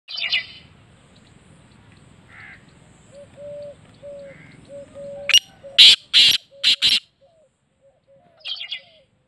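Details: Black francolin calling: a burst of loud, harsh, grating notes, four strident blasts close together, then a brief scratchy note later. Softer tonal whistles and a low rumble sound in the background beforehand.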